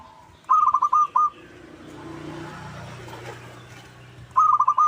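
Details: Zebra dove, local type, giving a lure call intended to make rivals reply: a crisp rattling phrase of rapid purred notes, a pause of about three seconds with low rumbling noise, then the same stuttered phrase again.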